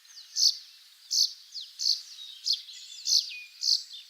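A Russet sparrow sings a series of bright, high chirps, roughly one every half to two-thirds of a second, with thin sliding notes between them.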